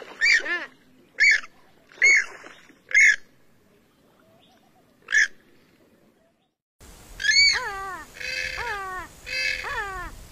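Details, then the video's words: Grey-headed swamphen uttering loud, widely spaced, nasal calls with downward-sliding tails, a silent gap, then further drawn-out, falling, honking calls in a more echoing setting. "কালিম পাখির ডাক | Kalim Pakhir Dak | Swamphen Bird Sound"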